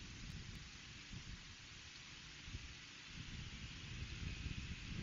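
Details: Heavy rain hiss with a deep rumble runs throughout, growing slightly louder toward the end, and no animal voice can be picked out.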